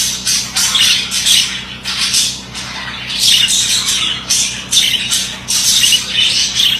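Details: Quick bursts of scratchy chatter from a male budgerigar, squeaks and buzzy trills in short rhythmic clusters separated by brief dips, with a low hum beneath.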